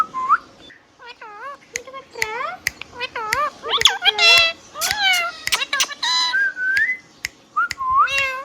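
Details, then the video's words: Hand-tame green parrot talking steadily, repeated looping speech-like syllables with rich harmonics, sharp clicks between phrases and a long level whistled note near the end. "Green Parrot Natural Sound | Hand tame Parrot Talking video | Mithu Tote Ki Awaaz | Talking Parrot"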